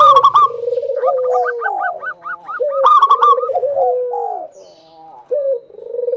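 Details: Singing local zebra dove meant to prompt other doves into song: soft, rolling low coos broken by bright, harsh bursts and a quick string of evenly spaced higher notes.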